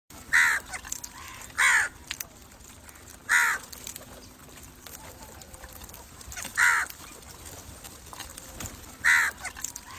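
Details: Crow cawing, used to attract other crows: five harsh, hoarse caws spaced irregularly about one to three seconds apart over a faint steady background hum.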